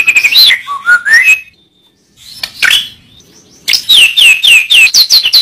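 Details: Murai batu (white-rumped shama) training song: rich warbled whistles and a rising slur, a pause with a few soft notes, then a fast run of repeated sharp downslurred whistles.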